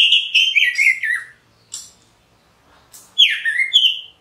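Orange-headed thrush singing rich, slurred whistled phrases that fall, then a swooping rising-falling phrase after a pause, all clear and loud.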